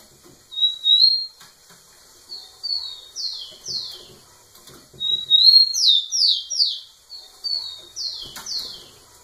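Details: Rufous-collared sparrow singing persistently close to a female: high clear whistled phrases, a level note followed by several sharply descending slurred whistles, repeated in two bouts, with faint clicks in the background.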